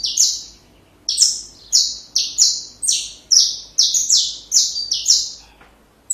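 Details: Song of a saffron finch, for use in training young birds: one buzzy note, a one-second pause, then about nine harsh, descending notes in steady succession, with another note starting at the end.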